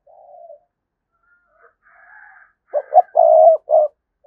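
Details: Spotted dove lure cooing to provoke wild doves: a soft low coo and faint higher chirps, then a loud burst of two short notes, a long coo and a shorter closing coo.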